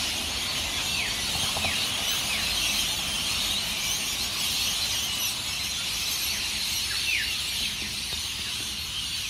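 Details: At dawn on the Gold Coast, Australia, hundreds of rainbow lorikeets leaving Norfolk Pine roosts at Burleigh Heads make a roaring chorus of shrill chatter, with scattered downward-sweeping squawks rising above the din.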